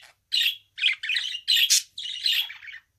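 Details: Pet budgerigar warbling in a continuous run of rasping, chattering phrases, about five dense bursts of scratchy notes with little silence between them.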